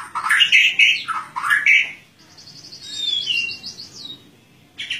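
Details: Singing white-rumped shama, 'ngeplong' style, exposed to morning dew and seeking a rival; loud slurred whistles, then a quick descending trill of thin notes, then a new phrase starting.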